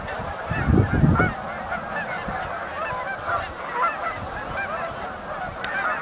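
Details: Canada geese coming in at Oak Hammock Marsh and Fort Whyte; a continuous blur of distant honking from many birds, opened by a burst of low rumbling noise around the first second.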